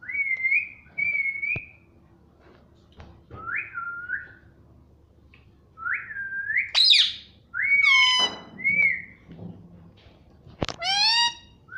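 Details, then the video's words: Indoor pet parrot known for saying "mummy papa" gives clear whistled notes, some sliding upward, mixed with bright voiced syllables and a sharp click, spaced by short pauses. "Mummy Papa Bolne Wala Tota || Talking Parrot || Pattu Parrot Talking"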